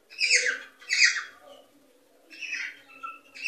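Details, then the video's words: Cockatiel calling to prompt breeding: two loud, raspy squawks close together, a pause, then softer chattering notes and a short whistle-like call. "صوت لتحفيز طيور الكوكتيل على التزاوج والإنتاج"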